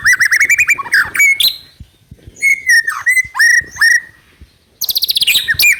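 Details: White-rumped shama (speckled juvenile, trotol) singing as a lure to trigger song in another bird: bursts of fast rattling notes alternate with loud clear whistles that waver and dip downward, with short silent gaps between phrases.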